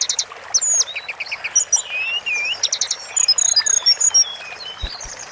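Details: Sunda forktail song as a long-duration training recording: a busy sequence of thin, high whistles, short upward-sweeping notes and rapid bursts of repeated chips, with little pause between phrases.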